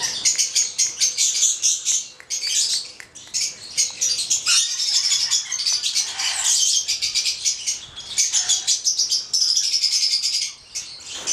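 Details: Long run of shrill, raspy chatter and screeches from a Stella's lorikeet pair, red male with black female, of the subspecies goliathina, almost unbroken and loud, with short dips in volume.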